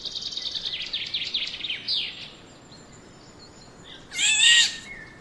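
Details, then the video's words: Black-naped oriole: a quick run of high, scratchy chattering notes, then a thin whistle, and one loud, harsh, nasal squawk near the end. "Diffrent sound of black naped oriole Bird"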